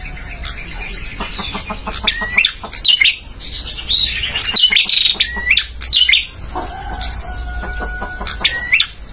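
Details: Song of a male bar-winged prinia, meant for training caged birds: fast ticking notes, then dense bursts of bright chirps and rising whistled slurs, with a faint lower tone and steady background hum.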